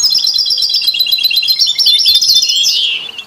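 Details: Continuous rich twittering from a European goldfinch, with canaries and goldfinch-canary mules, offered to inspire other songbirds: rapid high chattering notes ending in a falling, slurred flourish.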